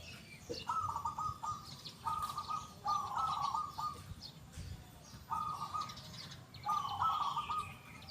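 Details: Local zebra dove singing eagerly, its large 'kung' voice loud and clear. Five rolling, tremulous coo phrases come in irregular bursts, two nearly joined. Faint calls from other birds sound in the background.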